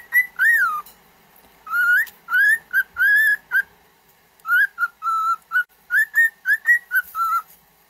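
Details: Pet cockatiel singing for training: a long run of arched and wavering whistled notes, some rising, some falling, in quick bursts separated by a short pause.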